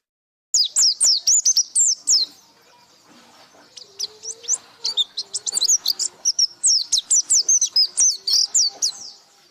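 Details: White-eye in energetic buka paruh song, a quick run of thin, high chirps, a brief lull, then a long dense stream of slurred whistles and twitters at about four notes a second.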